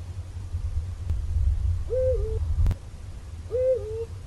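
Two deep, two-part hoots from a Eurasian eagle-owl, each a short rise then a level tone, about a second and a half apart, over a steady low rumble.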